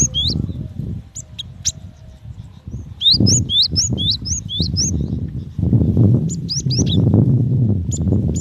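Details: Female cinereous tit calling the male: a short run of rising whistled notes in the middle, with a few scattered high ticks, largely masked by loud low rumbling noise.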